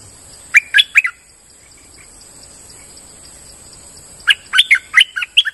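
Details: Gacor lure song of a streak-eared bulbul in forest: three sharp chirps, a pause of about three seconds, then a faster run of six loud, bouncing notes, all over a steady high background tone.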